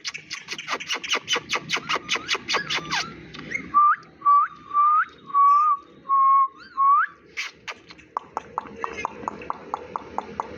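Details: Pet Indian ringneck parakeet, a talking bird that mimics Hindi: a fast train of about a dozen short clicky pulses, then five loud rising whistled notes near one pitch, then more even, quicker pulses.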